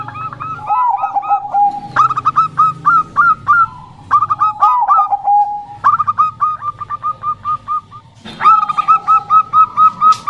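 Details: Zebra dove, stated to be a Bangkok-type local female singing energetically: repeated phrases, each a low drawn-out coo breaking into a fast chain of bubbly staccato notes, with layered series hinting at several doves.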